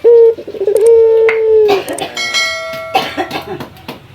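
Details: Male local Barbary dove calling a rival: one long, steady coo opens, then scattered knocks, faint ringing tones and rustling follow.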